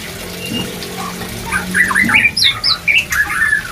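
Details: White-rumped shama, breeding-drive therapy: after a quiet start with a faint low hum, a burst of loud whistles, high looping notes and harsh squawks follows in rapid, uneven bursts.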